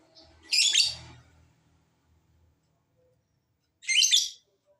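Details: Lovebird calls played to coax other lovebirds into answering: two harsh, grating high-pitched bursts about three seconds apart, with a low hum under the first.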